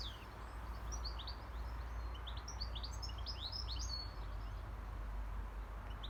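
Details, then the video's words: European goldfinch living free in the wild: a scattered run of high, quick twittering chirps and short downslurred notes over a steady low rumble of background noise. "مقنين حر في الطبيعة"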